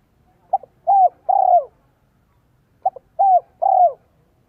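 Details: Two phrases from a spotted dove decoy singing 'son, 1 cốt lỡ' to attract wild doves, each a soft clipped note pair followed by two long, low coos bending downward.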